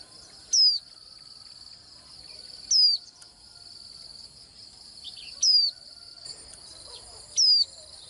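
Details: Swinhoe's white-eye singing: four brief high descending whistled notes spaced two to three seconds apart over a steady high insect-like hiss.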